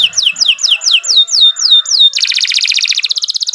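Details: Canary singing nonstop as a training lure: a series of loud slurred whistles sweeping downward, about four per second, switching abruptly into a fast, dense rattling trill.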